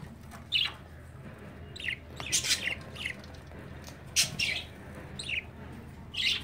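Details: An adopted baby Budgerigar, fostered to another mother budgie after its own sick mother stopped feeding it, gives short, scratchy, high chirps and squawks in irregular bursts every second or two, over a low indoor hum.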